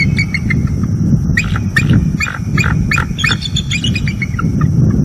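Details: Two bald eagles warning at an owl near their northeast Florida nest tree after midnight, 30 October 2022, via live nest cam. Dense, continuous run of sharp, high chattering chirps over constant low background rumble.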